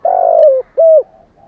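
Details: Decoy spotted dove with a 'giọng thổ' voice style, giving a continuous thúc, gù and gáy gọi calling routine. A long, low, steady coo is followed by a shorter downward-curving coo, then a faint trailing note, in a quiet setting.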